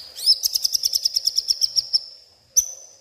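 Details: White-rumped shama singing agitatedly at night, pouring out mimicked garden-bird phrases: a rapid series of about fifteen high, even chirped notes for a second and a half, a pause, then one sharp note, over a steady high hum.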